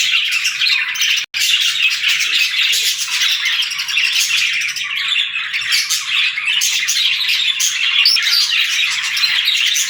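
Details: Pet budgerigars in steady, bright chattering: many quick overlapping chirps and scratchy warbles forming an unbroken wash of sound, with one brief silent gap near the start.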